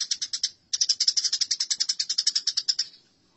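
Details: Eurasian tree sparrow in a fight, chattering hard: a short burst of chirps, a brief pause, then a steady two-second stream of rapid, evenly spaced harsh notes.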